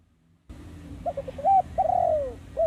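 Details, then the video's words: Cooing phrase of a spotted dove from a trapping lure recording: a few clipped low notes lead into a long, falling, hollow coo, followed by the start of another coo; faint low hum underneath. "MP3 tekukur pikat"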